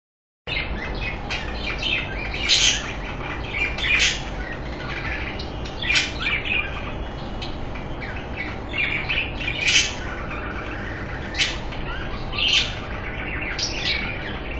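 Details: Budgerigars mating chatter in quick, scratchy warbles and chirps over a steady low background hum.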